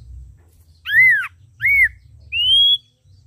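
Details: Ashy drongo with red eyes in lively song: two arched whistles rising then falling, then a smooth whistle climbing gently, three notes spaced about three-quarters of a second apart.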